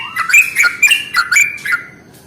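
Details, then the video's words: Sooty-headed bulbul lure call for attracting bulbuls: a short burst of loud, bright, liquid whistles, five or six quick phrases, fading out after about two seconds. "SUARA pancingan paling AMPUH untuk Trucuk jenis apapun"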